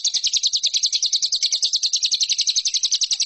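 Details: Lovebird training song for competition birds: a long, fast, even trill of high chirping notes, about three to four per second pulse groups, dense and continuous without pause.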